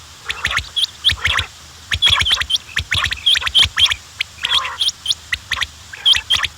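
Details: Quails calling in dense bursts: high hooked chirps mixed with harsher, broadband squawking notes, irregular clusters with short pauses and a low background hum.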